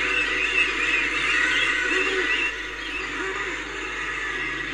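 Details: Common murres calling: a few deep, curved, groaning notes stand out over constant busy colony chatter and broad hiss, with the background dropping slightly in level halfway through.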